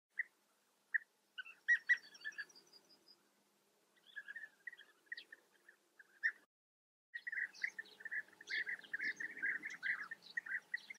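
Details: European bee-eaters at a breeding colony in the Eifel, Germany, giving soft rolling, liquid trilled calls, first sparse and single, then a dense overlapping chorus of several birds.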